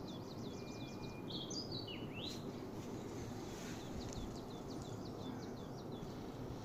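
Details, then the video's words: Birds chirping in the morning: quick, high, downward-sweeping chirps in rapid series from several birds, with a thin level whistle early on, over a steady low background rumble. "The sound of birds chirping"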